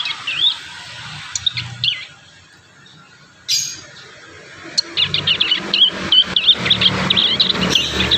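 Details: A few isolated high chirps from young wild prinias, then after a quiet stretch a fast run of thin, wavering twitters as the juveniles rehearse their song.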